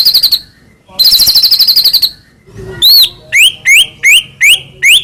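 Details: White-rumped shama song used to lure captive birds into singing: buzzy high trills, then five loud upswept whistles about half a second apart.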